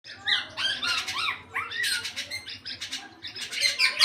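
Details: Eight-month-old black-naped oriole just starting to sing fully, giving a rapid run of harsh, scratchy notes mixed with short rising and falling whistled phrases, with brief pauses between bursts.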